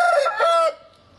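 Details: Oriental Gamefowl roosters, an old 4.1 kg black-and-silver cock and his colourful son, recorded in March 2012; a short, hoarse crow with a strong harmonic tone, broken into two parts and cut off after under a second.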